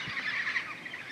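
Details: A Major Mitchell's (Pink) cockatoo in the Australian outback, near remote waterholes, gives a single harsh, quavering, slightly nasal call, its distinctive call, wavering for about a second over a faint background hiss.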